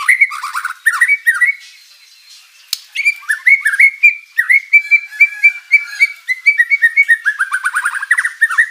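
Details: White-rumped shama in energetic mimicry-rich song, meant to make rivals respond; varied slurred whistles, a short pause, then a long series of clear repeated whistled notes ending in a fast chattering run.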